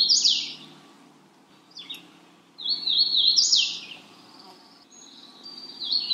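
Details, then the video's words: High, lilting phrases from a Magnolia warbler: a short burst, a brief lower note, then a longer stepped warble near three seconds and a final thin phrase, separated by quiet gaps over a faint low hum. "Magnolia warbler Calling."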